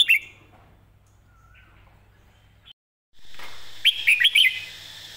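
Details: Red-whiskered bulbul model song for teaching birds: a short chirp at the start, a long faint stretch with a soft whistle, a sudden silent break, then a loud cluster of rapid bright chirps over hiss.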